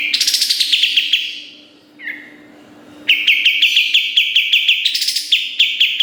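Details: Training recording of a kapas tembak singing hard: a dense trill of rapid, piercing notes, a brief falling whistle, then another long, sharp, rapid-fire chirping run.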